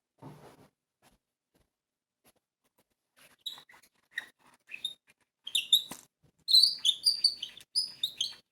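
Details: Nightingale song played back in a children's bird-guessing game: after a quiet start, short, high, varied phrases build into rich, rapid warbling and whistled notes, growing louder toward the end, with a brief low rustle at the beginning.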